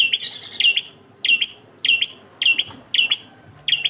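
Bar-winged prinia giving bright, high chirps in quick bursts of two or three, repeated about every half second to second over faint background hiss.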